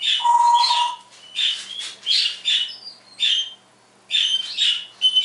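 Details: Morning mimicry from a caged household parrot: a clear sustained whistle, then bright squeaky chirps and rasps in short bursts, with one quiet gap.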